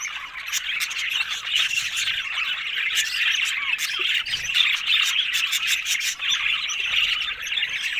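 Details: Happy budgerigars chattering in chorus, with overlapping warbled chirps, squeaks and frequent sharp ticks continuing without a break.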